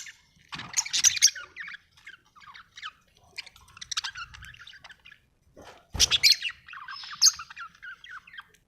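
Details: Budgerigar chirping happily, an Australian bird: bursts of chattering warble and high squeaks separated by brief pauses, with a soft low thump in the middle.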